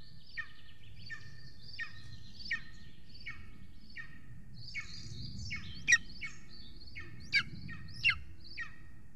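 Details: Golden eagle nest in Estonia, evening of 3 June 2020, prey being brought in: repeated thin, wavering high whines with a few sharper yelps near the end, over a low rumble.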